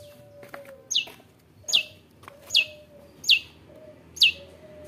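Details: Long-tailed shrike singing in full, aggressive voice to provoke rival shrikes: five sharp, high notes, each sweeping steeply downward, spaced under a second apart, with a faint steady hum behind.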